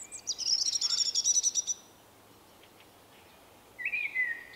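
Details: A wary male Common blackbird with a unique 'vuippi vuippi vuuu' song, March 2024: a rapid high trilled twitter of about a dozen pulses, silence, then a low fluty falling whistle.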